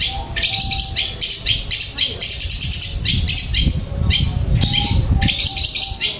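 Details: Long-tailed shrike delivering flowing song material in dense, high, scratchy bursts and trills, rapidly repeated, over a low rumbling background with some faint voices.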